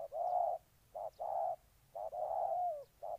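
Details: Ninh Thuận spotted dove cooing: a long mellow note, a brief clipped one, then another drawn-out slightly falling coo, in a slow short-long pattern against a quiet background.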